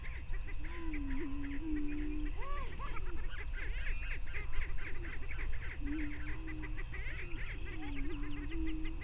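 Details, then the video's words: Greater prairie-chicken lek at dawn (5:30 AM, 9 May 2023), Bluestem Prairie Scientific and Natural Area near Glyndon, northwestern Minnesota: several birds give low, hollow, second-long moaning booms overlapping higher whoops and cackles over steady low rumbling. "Prairie Chicken Lek"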